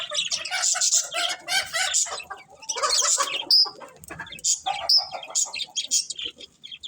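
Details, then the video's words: Several budgies chirp in grating, rapid bursts of high chatter, broken by two short pure whistled squeaks near three and a half and five seconds. "Cute Budgies Chirping Sounds"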